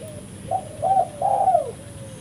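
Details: Tekukur, or spotted dove, calling as a bait for trapping: a faint lead-in note, two short coos and a long rough coo sliding down at the end.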